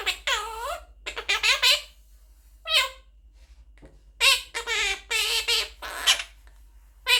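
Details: A baby monk (Quaker) parakeet talks, chattering in quick, high, speech-like bursts, several short word-like phrases in a row with brief pauses, indoors.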